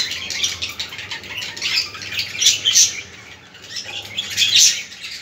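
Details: Budgerigars warbling, played to stimulate other budgies: a steady stream of high, scratchy chirps and twittering notes with brief louder bursts near the middle and the end.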